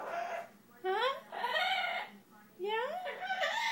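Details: A male pet bird in a room utters calls on finding what he takes for a good nesting place; three separate bursts of rich, rising then level harmonic notes, with quiet gaps between them.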